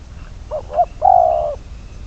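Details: Spotted dove used as a decoy bird for trapping, bird number 22, giving two quick rising coos followed by one long, steady, slightly falling coo. Faint low background rumble.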